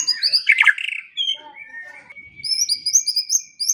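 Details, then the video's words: Song of a white-rumped shama, used morning and evening to train songbirds. A harsh burst comes first, then a long steady whistle and a rapid string of very high, thin repeated notes. "Pancingan dan Masteran Pagi dan Sore Hari Murai Pendiam Langsung Ikut Bongkar Isian | shama bird"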